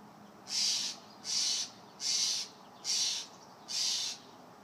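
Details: Young Steller's jay demanding peanuts, giving its "give me noms" begging call as five evenly spaced, harsh, rasping screeches, roughly one per second, against quiet background hiss.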